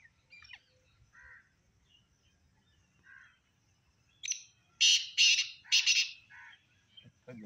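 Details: Black francolin calling: after soft scattered chirps, a loud burst of three harsh, rasping notes in quick succession, followed by a softer note.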